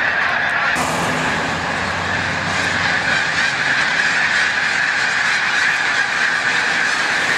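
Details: Migrating snow geese near peak migration at Montezuma, New York, on 7 March 2022, the flock taking flight: a dense, unbroken chorus of high nasal honks from countless birds, swelling suddenly after the first second.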